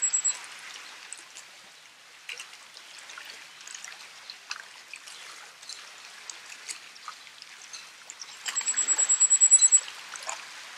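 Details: Common firecrest (Regulus i. ignicapilla) at Lake Como, Italy, in March 2016 singing: a brief high note, then a quick run of a dozen very high, thin, even notes, over trickling water.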